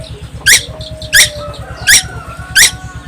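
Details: Young tuwu bird of Timor Island giving four loud buzzy notes, each falling in pitch, spaced about 0.7 seconds apart, against a constant low droning hum.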